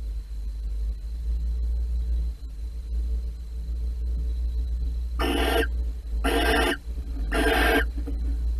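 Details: Nest-box barn owls at Holten, 16 March 2020, during mating. Low hum and a faint hiss first, then three loud, harsh screeches, each about half a second, about a second apart.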